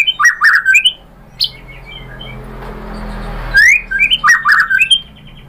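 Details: White-rumped shama singing to provoke other birds into response: quick clusters of chattering, whistled notes at the start and end, separated by a long quiet spell with faint background hiss.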